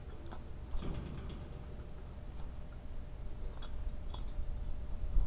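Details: Low steady hum with scattered clicks and taps, like handling noise; no animal voice.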